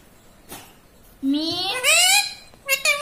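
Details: Talking parrot indoors saying mummy. A low rising note slides into loud nasal syllables, then two short sharp calls after a brief pause.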